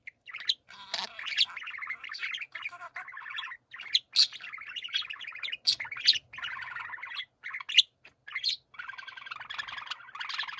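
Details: A group of pet budgerigars in chorus, giving busy chattering warbles with harsh buzzy grinding notes and sharp high clicks, nearly continuous with short gaps.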